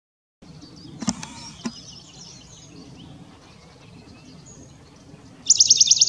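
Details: Western Bonelli's warbler (Phylloscopus bonelli) song, recorded 15 April 2022: faint twittering and a couple of soft knocks, then a quick, dry trill of about eight identical high notes on one pitch.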